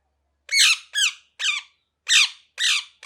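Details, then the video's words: Parrot screeching in loud harsh bursts, six rasping downslurred squawks about half a second apart, indoors with nothing else audible. "Parrot Chirping Sounds"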